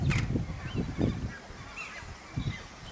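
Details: Australasian shoveler at Slimbridge giving low, soft clucking notes in short irregular bursts, about five in three seconds, with faint higher chirps of other birds behind.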